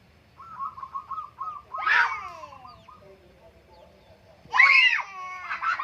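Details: Zebra dove in the morning on the Menoreh slopes giving a quick string of soft, even coos, then loud, harsh squawks from other birds overpower it twice.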